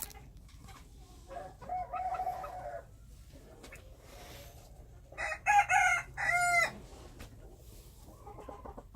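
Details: Wild chickens: a short crow early on, then a louder crow broken into strained harmonic segments, and faint clucks at the end, over steady low background noise.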